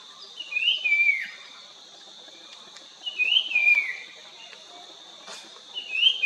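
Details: A Puff-throated babbler singing in Nandi Hills, Karnataka, on 1 February 2022 gives short, clear whistled phrases that slide downward, about every two and a half seconds, over a steady high insect drone.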